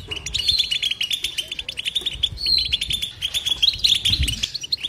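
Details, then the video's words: European goldfinch in unbroken twittering song, rapid tinkling chirps strung into trills with occasional longer level whistled notes and buzzy bits, faint low noise in the background. "بتبته حسون لا صمت"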